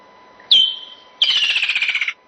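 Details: Woodland Kingfisher call, likened to laughter: one long high whistled note held steady for about two-thirds of a second, a short pause, then a fast descending trill of rapid pulses lasting nearly a second.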